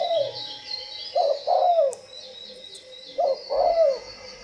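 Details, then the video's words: Spotted dove cooing: two low, mellow coo phrases about two seconds apart, each a short note followed by a longer drawn-out purring coo. Faint high chirps of other small birds sound in the background. "ĐÂY MỚI LÀ CHIM CU GÁY"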